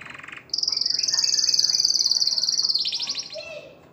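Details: Canary song meant to stimulate females to mate: a brief buzzy trill, then a long, high, rapid rolling trill held for over two seconds, ending in a faster, lower rattle.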